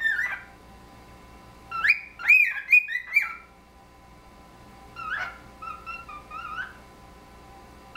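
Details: Two pet cockatiels that have lived together for three years trade whistled phrases, mostly wolf whistles with extensions; a loud run of sliding whistles, a pause, then softer, lower whistled notes that complete or imitate the phrase.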